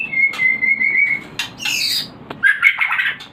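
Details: White-rumped shama song used to stimulate breeding: a long, slightly trilled whistle, a burst of bright buzzy notes, then warbled whistles rising toward the end.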